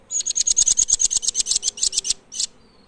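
Blue nuthatch giving a quick run of about sixteen thin, high, piping notes at roughly seven per second, then one final note after a short pause.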